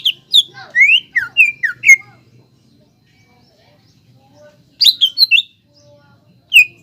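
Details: Lure song of an actively singing greater green leafbird, meant to rouse young birds to sing: a quick burst of bright, sliding whistled notes, a pause of nearly three seconds, then another short flurry and a final sharp note.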